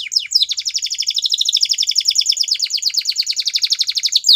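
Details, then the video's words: Belgian canary producing one unbroken, very fast rolling trill of bright high notes, steady in rhythm throughout, opening and closing with a quick downward sweep. "Belgian Canary Song"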